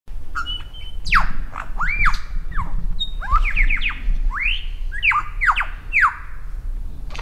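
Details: Lyrebird at Dorrigo National Park showing off to another bird perched on a log, pouring out a varied run of loud whistled sweeps, rising and falling slurs and squeaky chirps, over a steady low rumble of background noise.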